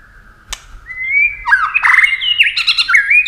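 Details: Competition song of a white-rumped shama flicking its wings and tail: a long steady whistle rising slightly, then a burst of looping, twisting whistles and harsh rattled notes, with a faint low hum underneath.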